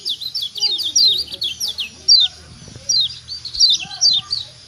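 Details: High, quick downward chirps from a Lombok kecial kuning white-eye giving its stimulating ciak call, a dense string at first, then spaced single and double notes over a low background hum.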